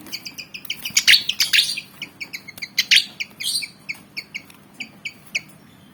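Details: Javan fantail, black and white, about 19 cm long, eager to fight: quick repeated bright chirps mixed with several loud, harsh chattering bursts, ending in steady chirps about three per second.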